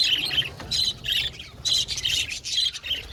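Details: Aviary budgies, Australian parakeets, squawking and chirping: choppy bursts of harsh, buzzy chatter roughly every quarter second, with faint low background hum.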